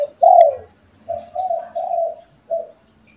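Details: Spotted doves, one kept as a pet and one wild, call back and forth. A loud, falling coo comes first, then a run of three smooth, level coos and a short final note.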